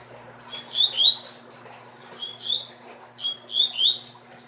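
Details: Captive-bred double-collared seedeater repeats clear song phrases three times in quick succession. Each phrase holds two or three downslurred whistles with sharp, ringing overtones. A low electrical hum runs behind.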